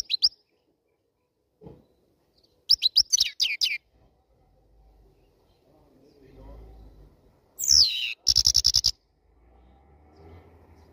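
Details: Black-headed European goldfinch singing after its moult, with scattered high chirps, a fast liquid twittering run, then a sharp descending squeal followed by a dry buzzy rattle of evenly repeated notes; faint low rumbling between phrases.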